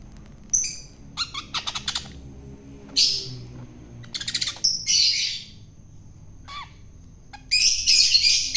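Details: Wild-origin long-tailed shrike being fed to tame it: rapid clicking ticks alternate with harsh, hissing squawks, ending in a long scratchy screech; quiet pauses between the bursts.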